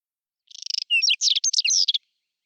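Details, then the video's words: Whinchat song recorded in April 2020 during spring: a rapid stuttering lead-in of ticking notes running into a dense, high, scratchy warble of twisted whistles lasting about one and a half seconds. "Il canto degli uccelli del bosco: Stiaccino (Saxicola rubetra)"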